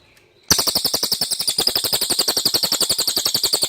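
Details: Clear common iora song suited for training magpie-robins to copy. A single rapid, high-pitched trill of evenly spaced chattering notes starts abruptly and runs steadily to the end.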